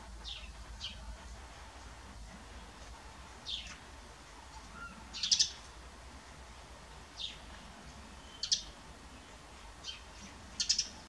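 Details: Eurasian tree sparrows checking out a nest box: short, sharp, high chirps in scattered bursts every one to three seconds, some doubled, over a faint low background hum.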